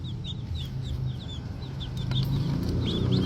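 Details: Little green junglefowl chicks cheeping: a run of thin, high, down-slurred peeps, roughly four a second, with the low background rumble swelling toward the end.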